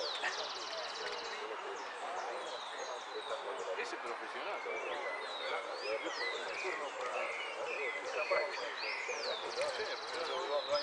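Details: Hooded siskins sing at a Monte Grande song contest (15 Nov 2015), a fast twittering song of high whistled sweeps and brief buzzy trills, several birds overlapping, human voices murmuring underneath.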